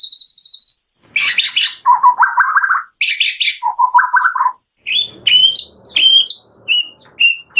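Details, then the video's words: Morning song of a wild white-rumped shama beside a stream, rich and varied: harsh rasping bursts alternate with lower warbled phrases, then clear whistled notes rising and falling in short separate phrases. "Wild Murai Batu Legend Singing By The Stream"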